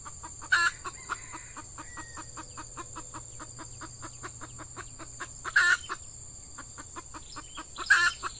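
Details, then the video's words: Female red junglefowl, an F1 decoy bird calling to lure wild males in peat scrub during the active season; steady run of short clucks, roughly four each second, with three loud abrupt bursts and a faint hum behind. "Ayam Hutan Pikat Betina F1"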